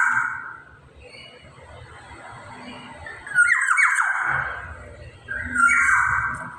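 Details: Black-naped oriole singing strongly, uttering drawn-out, raspy, cat-like nasal calls with wavering pitch, one early and two louder ones later, quiet rumble between them.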